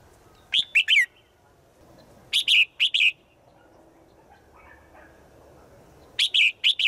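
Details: A female bird, said to call to the male every day in the forest, gives three quick bursts of bright, high chirps, each a tight group of three notes, spaced a couple of seconds apart over a quiet background.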